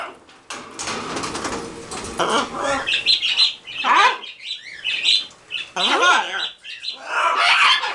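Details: A pair of green-winged macaws and a baby talk together, saying hi, hello, good boy and I love you. Raspy squawks lead into a series of wavering, voice-like phrases with rising and falling tones.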